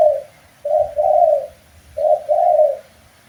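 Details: Spotted dove, a master recording for training birds: soft low cooing in two-part phrases, a short coo then a longer one, repeated about every 1.3 seconds.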